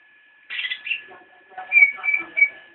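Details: Cicak rowo (straw-headed bulbul) singing nyinden: a short burst of chatter followed by three clear, bright whistled notes.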